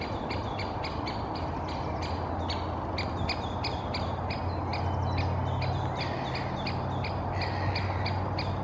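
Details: Two Great Spotted Woodpeckers interacting in birch treetops in Helsinki, Finland, May; one bird calls without pause, giving rapid sharp notes in irregular bursts, about three per second, over constant low-frequency traffic-like hum.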